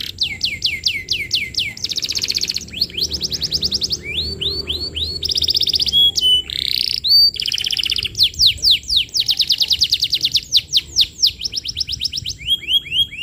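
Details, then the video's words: Canary song as a lure recording for training young canaries: long, varied performance of rapid repeated whistles, dense trills and buzzy rolls, switching phrase type every one or two seconds. "Suara Pancingan Kenari Gacor, Cocok Untuk Materan Paud Kenari"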